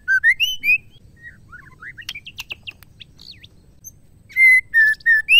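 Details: A female white-rumped shama, whose song serves to excite males into singing, gives rising whistled notes, then a burst of sharp clicks and chirps. A final run of loud, clear whistles closes the phrase.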